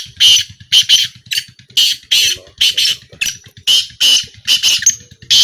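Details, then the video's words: Black francolin at a calling trial gives a run of harsh, grating, buzzy bursts in quick phrases. A steady low throbbing pulse runs underneath throughout. "A Small Trial Of Black Francolin"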